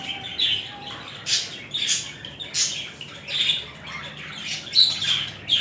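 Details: Two budgerigars mating and courting; short squawky notes and thin whistled chirps repeat about every two seconds over a quiet background warble.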